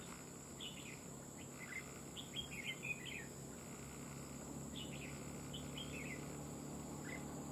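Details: Red-whiskered bulbul kept as a trapping decoy, sung in the fighting style, gives short bubbly warbled phrases in bursts, loudest around the middle, over a steady broadband hiss and a constant high-pitched electronic whine.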